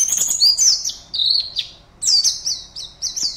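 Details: Competition songbird, an Oriental white-eye kept in a cage in Pontianak, West Kalimantan: bright, very high twittering phrases with quick downward slurs and trills, a brief gap, then another burst of rapid chirps.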